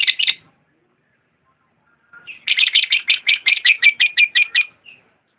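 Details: Lovebird chirping: one short squeaky burst, a silence, then a fast, even run of about fifteen shrill buzzy chirps, several per second, fading with a faint last note.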